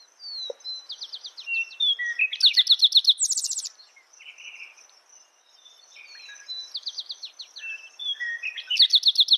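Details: Repeated spotted towhee song, quick chips then a rapid, harsh trill, heard amid a busy chorus of other chirping and whistling birds and a constant high insect tone.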